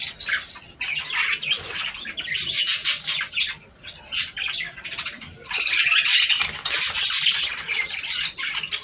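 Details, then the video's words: Budgerigars singing to stimulate mating: overlapping chirps, warbles and harsh squawks from a group, with a louder, denser surge of chatter in the second half. "صوت طيور البادجي ــ تحفيز للتزاوج."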